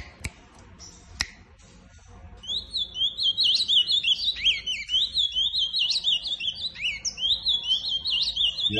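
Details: An ultramarine grosbeak (Cyanoloxia brissonii) sings a rapid, continuous run of sweet whistled and warbled notes that rise and fall, after two sharp clicks at the start.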